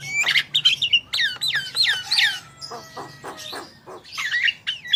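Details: Javan myna (jalak kebo) singing to prompt other birds: a medley of slurred falling whistles and harsh notes, followed by clicking rasps and a final squeaky warble, low hum beneath.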